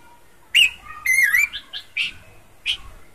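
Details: Bush babbler in chatty song: a sharp whistled note, then a wavering, slightly rising whistled phrase, followed by several brief clear whistles spaced roughly half a second apart, against a quiet background.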